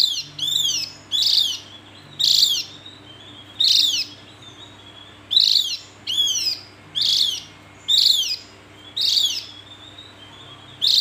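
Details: Javan white-eye calling steadily: a series of about eleven high, thin, downslurred chirps, roughly one per second, each sharp and clear against near silence.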